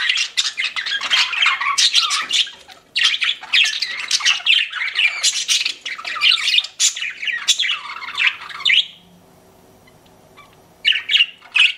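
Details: Several pet budgies chatter in rapid bursts of harsh chirps and squawks, pausing around nine seconds with a faint low hum before a final short burst.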